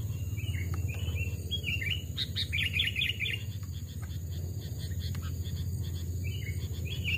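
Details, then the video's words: Sooty-headed bulbul kept since chickhood, aged two to three years, tested for voice in forest; lively repeated phrases of bubbly, fluty whistles, denser mid-clip, against a constant low hum and faint insect buzz. "burung kutilang pikat||tes mental dan suara saat di hutan 2 jenis Burung Kutilang"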